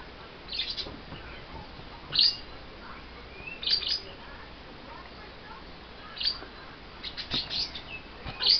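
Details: Two pet lovebirds, a little upset right after having their wings clipped, giving sharp high chirps in scattered single bursts and short clusters a second or two apart over steady background hiss.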